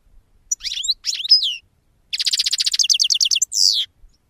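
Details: European goldfinch song: a few high, slurred twittering notes, then a rapid, steady string of bright repeated notes shifting in pitch, ending on a drawn-out, slightly buzzy note.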